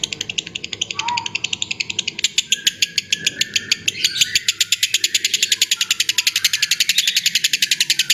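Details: Lovebird ngekek for training songbirds: after low background noise and a brief lower note, a fast, continuous train of high, scratchy clicks begins and runs to the end.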